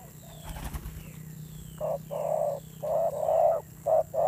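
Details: Wild spotted dove giving fierce-toned cooing: a run of low, hoarse, blocky coos of varied length, roughly two per second, over steady outdoor background hiss and a low hum, with a brief rustle near the start.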